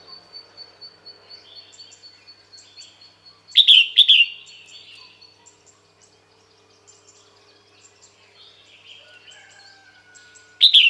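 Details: Red-whiskered bulbul, a female summoning males, utters a quick pair of bright squeaky chirps, then another after a long pause; soft ticking and twittering from other birds run underneath.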